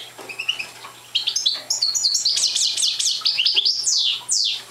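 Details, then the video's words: Parva subspecies of European goldfinch, a young bird not in full song, starts with soft scattered notes, then bursts into bright, fast twittering with repeated sharply falling slurs; a faint low hum is present. "Young Parva Goldfinch singing"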